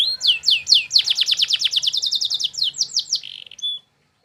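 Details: Canary training song intended to make other canaries respond: quick series of bright swooping notes running into a fast rolling trill, ending with a short buzz before the song stops.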